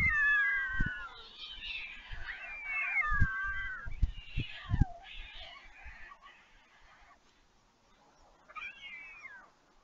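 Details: Fledged white storks begging while being fed on the nest at Leemansmolen, Vriezenveen, Netherlands, on 11 July 2022. Sliding, mewing cries with scattered low knocks, fading to near quiet before one last short wail.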